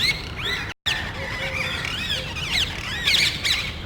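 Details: A few parrots in a neighborhood seeking nest sites, calling loudly as if quarreling; arching, wavering screeches repeat steadily, with a brief gap of silence early on.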